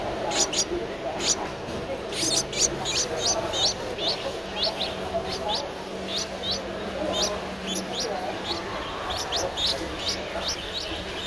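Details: Streak-eared Bulbul chick of 11 days, Ubon Ratchathani, Thailand, 13 April 2023, giving thin, high begging chips in rapid succession over a steady hissing background noise.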